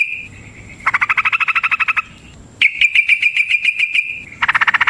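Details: Long ropel fighting song of a yellow-vented bulbul, a lure to trigger answering song: bursts of rapid rattling trills, each about a second long, separated by brief pauses, with one clearer note-run between.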